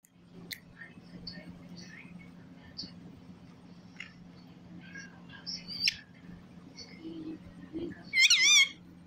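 A parrot gives soft scattered chirps, then a loud, warbling whistle that wavers rapidly up and down near the end, over a steady low hum.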